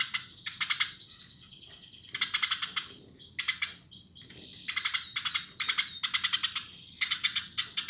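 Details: Eurasian tree sparrow chattering: groups of three to six sharp, rasping chirps come every second or so, with brief pauses holding faint thin slurred notes between the groups.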